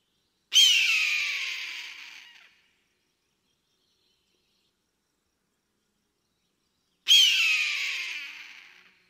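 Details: Hunting eagle calling while flying in the sky gives two rasping, piercing screams roughly six and a half seconds apart; each starts abruptly at full strength and trails off over about two seconds into silence.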